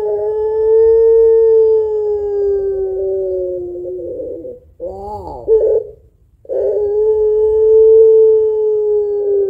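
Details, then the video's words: Puter pelung dove singing to stimulate other birds: a sustained coo held about four seconds, a quavering broken phrase, then a second long even coo. "Burung Puter Pelung Gacor Suara Panjang Kuwok Tebal Cocok Buat Pancingan"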